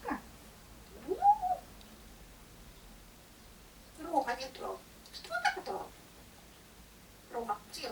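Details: Grey parrot Roma gives a drawn-out, cat-like meow rising then falling, then several short voice-like utterances in a quiet room; owner says he imitates a cat and likes mimicking coughing and sneezing to get attention.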